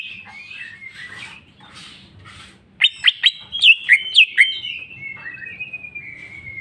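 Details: Greater green leafbird, local name cucak ijo, singing in 'jamtrok' style with 'bongkar isian': soft scratchy phrases, then a burst of sharp downslurred whistles about three per second, ending in a long thin sustained whistle.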